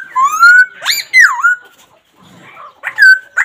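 A laughingthrush gives loud, rich whistles that rise, bend and slur, with short bursts repeated after a brief pause.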